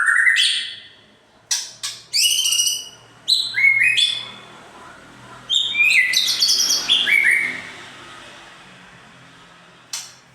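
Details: White-rumped shama song used as a lure to agitate other shamas: loud rich whistled phrases with rising and falling notes and sharp high chips, in bursts separated by quiet pauses.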